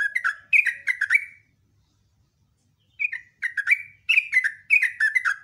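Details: Morning song of a sooty-headed bulbul: chattering phrases of rapid descending whistled notes, one phrase, then a pause of about a second and a half before two more lively bursts; quiet background.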